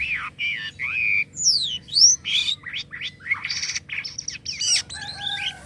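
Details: Jalak kapas starling singing actively with strange sounds: long wavering whistles, steep sweeping slurs, and a continuous jumble of buzzy, scratchy phrases.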